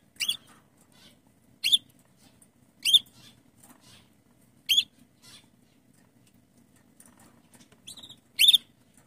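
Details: Female red canary in a garden calling to a male, who answers; wild birds sometimes reply. Six short, high, sharp chirps ring out at intervals of one to two seconds over faint background hum.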